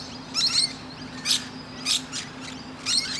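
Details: Musk lorikeet on a tree branch, chatting to other birds: four brief shrill screeches separated by short gaps, each a harsh high burst.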